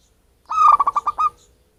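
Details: Zebra dove of wild local stock giving a call suited to luring birds: one compact phrase, a clear cooing note breaking into a fast series of pulses, in a quiet background.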